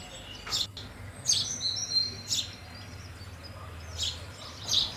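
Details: House sparrow chirping: five or six emphatic, high, short notes spread irregularly, with a faint low hum throughout.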